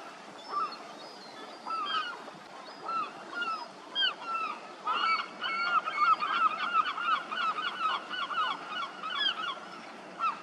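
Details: Juvenile lesser black-backed gull begging and being fed: a persistent stream of short squeaky, downslurred wheezy calls, sparse at first then rapid and nearly continuous, with faint outdoor background.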